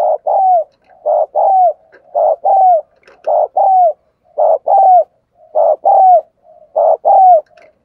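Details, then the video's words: Spotted dove kept as a decoy, calling to draw in wild doves. Steady run of about seven double coos, a rough note then a drawn-out falling note, each pair repeated roughly every 1.1 seconds. "Chim Cu Mồi Thúc Và Gáy Gọi Rất Sung"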